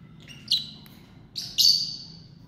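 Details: Family group of lovebirds giving two bursts of shrill, high chirping calls, each a sharp onset followed by a drawn-out, slightly falling screech, separated by about a second of quiet.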